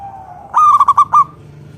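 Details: Zebra dove of local stock, singing to lure other doves into song: one loud burst of five quick, stuttering cooing notes after a soft, low sustained coo.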